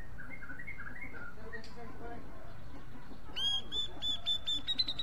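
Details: Grey-cheeked bulbul seeking a karaoke partner: soft low warbles and faint sounds give way to a loud, fast series of clipped, metallic notes repeated rapidly to the end.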